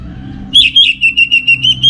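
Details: Orange-headed thrush song from a kept bird in North Bali, Singaraja: a burst of fast, evenly spaced whistled notes, pure and high, repeated about seven times over faint low background hum.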